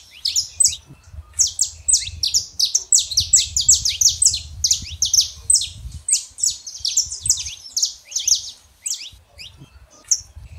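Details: Saffron finch pair, male and female, song meant to stir a quiet canary: dense run of sharp high chirps and slurred notes repeated rapidly for about ten seconds, light low hum beneath.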